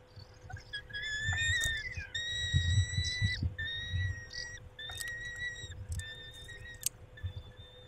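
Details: Peregrine falcon male tending the females at the nest, 19:40 on 23-05-21: a run of drawn-out, even whistled notes with overtones, some slightly rising, in uneven bursts, over low rumbling background noise.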